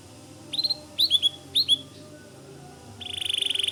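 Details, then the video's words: Brief phrases from a white canary: three pairs of quick high chirps spaced about half a second apart, a pause, then a rising buzzy trill building at the end. "Suara Kicau Kenari Putih Gacor Dor"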